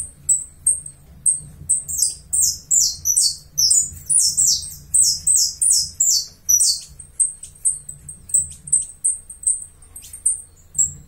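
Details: Uruguayan saffron finch song of piercing high chips that speed into a rapid run of descending slurred notes mid-phrase, then settle back into evenly repeated chips.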